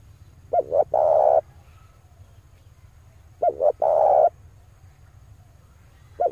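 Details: Male spotted dove calling to lure wild doves: repeated phrases roughly three seconds apart, each two clipped notes followed by a full, rolling coo, with the start of another phrase at the end.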